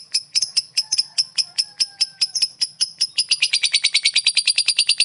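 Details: Lovebird ngekek, a chattering used to provoke other lovebirds: fast, regular high clicks and chirps, speeding into a dense rattling run in the last two seconds, with a faint low hum underneath.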